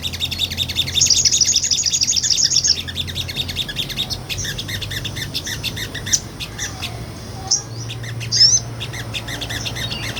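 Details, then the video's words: Sunbird, a tiny nectar eater, in lively ngobra singing recorded for real to train songbirds; a long buzzy high trill near the start, then scattered thin ticks and a short bright rising phrase. "MASTERAN SOGON NGOBRA"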